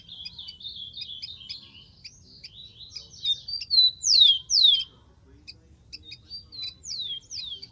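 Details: Rufous-collared sparrow in the wild: a run of quick high chips and twitters, then two loud, clear whistles slurring steeply downward, a pause, and the pair of falling whistles again.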